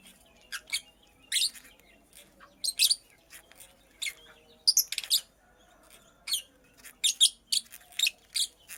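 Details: Purple lovebird, a female building a nest, giving sharp, harsh chirps in short bursts, some doubled or tripled, spaced irregularly about every half second to second over a quiet indoor background.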